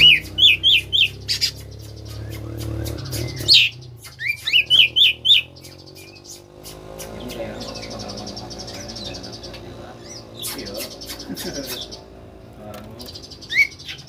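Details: Oriental magpie-robin of the koslet type singing to prompt lazy magpie-robins to sing: quick series of rising, slurred chirps in bursts, then a steady buzzy trill with a low background hum.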